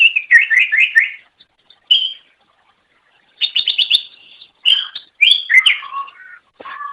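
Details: Cucak ijo song recorded for training songbirds: rapid repeated whistled trills, a short phrase, then quick rattling notes and varied falling whistles separated by pauses.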